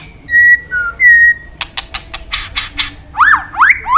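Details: White-rumped shama giving clear whistled notes, a lower short whistle, then a burst of sharp clicking pulses followed by quick upward-sweeping chirps, loud against a quiet background.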